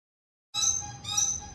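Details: Red lory from Ambon giving shrill screeching calls: two harsh, high, rasping screeches in quick succession, the second following straight after the first, over a low background hum.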